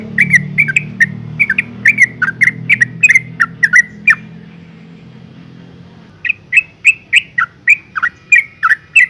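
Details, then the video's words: Female yellow-vented bulbul calling so that males answer in song; loud slurred chirps repeated several times a second, a quiet gap of about two seconds, then another even run of similar chirps. "suara panggilan burung trucuk betina gacor ngalas tercepat mancing emosi trucukan jantan agar bunyi"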